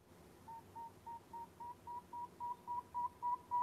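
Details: Male Northern Saw-whet Owl (Aegolius acadicus) in spring giving his advertising call to attract a mate: a steady run of clear, mid-pitched whistled toots, about three or four a second, growing slightly louder, over faint room hum.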